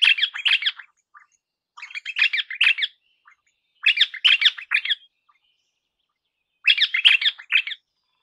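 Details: Crimson Rosella recorded on 21 May 2015 at 7:45 gives four bursts of harsh, chattering squawks, each about a second long, separated by short pauses, with no other sounds intruding.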